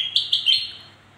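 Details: Black-crested bulbul song: three quick, bright, whistled notes in about half a second, the last slightly longer, then silence.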